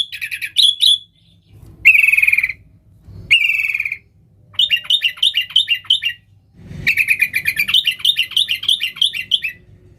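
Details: Lively sooty-headed bulbul song meant to lure wild birds: short harsh bursts and buzzy phrases, then long runs of quick rhythmic warbling notes repeated in series, separated by brief silences.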